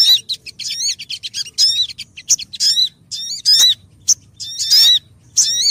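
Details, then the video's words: {'text': 'Sogon bird lure sound: rapid chattering series of sharp whistled notes that bend upward, some clipped short, others longer and ringing, tumbling irregularly over faint low background noise.'} "MP3 Pikat Sogon Paling Ampuh lansung Sambar"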